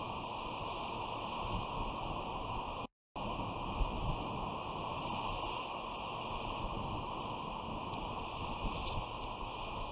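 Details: Steady roar of wind and surf on a coast, with a brief drop-out near three seconds and no animal voices.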